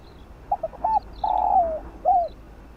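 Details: Single phrase of spotted dove field-voice song used to excite decoy birds: a pair of short low notes, a slurred coo, a long buzzing coo gliding down, and a final arched coo. A faint high twittering bird sits in the background.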